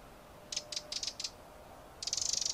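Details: Eurasian wren: five sharp separate ticks, then a fast, dry, high rattle of rapid pulses that runs to the end.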